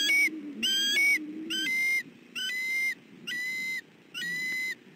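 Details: Male bald eagle in southwest Florida, 28 December 2013, defending his family as an intruder approaches the nest; six loud, flat, ringing whistled notes, each about half a second, repeated roughly once a second, with a low rumbling background.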